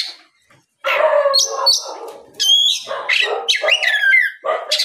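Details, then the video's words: Oriental magpie-robin singing in the afternoon to provoke other magpie-robins to reply. After a short silence comes a run of harsh, grating notes mixed with clear rising whistles and falling slurs. "SUARA PIKAT BURUNG KACER GACOR NGEPLONG SORE MEMANCING KACER LAIN SUPAYA LEKAS BUNYI NYAUT & GACOR"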